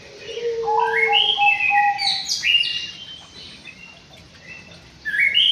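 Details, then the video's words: White-rumped shama in an aviary delivering a sweet song: a low steady whistle, then a rising ladder of clear whistled notes breaking into high, quick flourishes, a pause, and another high phrase. "BURUNG MURAI BATU DI AVIARY"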